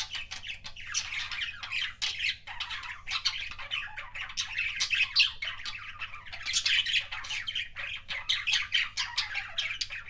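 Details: Pet budgerigar giving kissing sounds as a steady, lively warble of clicks, squeaks and buzzy chirps in quick bursts, with low hum beneath.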